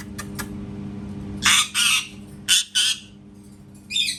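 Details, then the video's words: Parrot that imitates cat sounds lets out repeated harsh double squawks, two loud pairs about a second apart, then a softer rasping note, with faint clicks before and a low hum throughout. "PARROT MAKING CAT SOUNDS"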